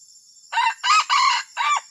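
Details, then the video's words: Junglefowl crowing with strange, disturbing calls: four loud, hoarse syllables in quick succession, the middle two long and joined, the last shorter and falling, over a faint insect hum. "AYAM HUTAN SUARA ANEH PENGGANGGU"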